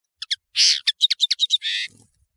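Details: Two thin chips lead into a harsh buzzy note, then a rapid string of bright high chirps and a closing rasping wheeze, sung by a European serin on a tutoring recording.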